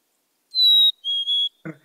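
Black-capped Chickadee giving its clear two-note whistle, a higher held note then a slightly lower, faintly broken one, like 'hey sweetie'; a brief voice follows.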